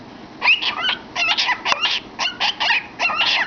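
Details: Pet cockatiel singing and chattering inside a cardboard tube; rapid rasping syllables with short whistled slurs, delivered in quick bursts of several notes.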